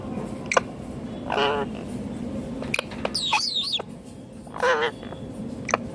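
A rose-ringed parakeet gives three short, wavering, speech-like phrases, one rising into a squeaky whistle, with light tapping clicks around it in a quiet room.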